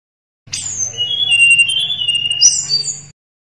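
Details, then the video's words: Sunda robin singing a long, high, wavering whistle that breaks into a sharper upslurred flourish, over a low steady hum. "Suara Tledekan Gunung Gacor"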